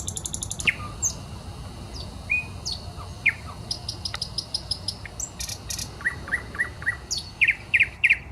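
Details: Varied common nightingale song in a Saint Petersburg park on the Smolenka: high trills, scattered whistles and clicks, a rattle, then rapid paired sharp notes, with steady faint city background.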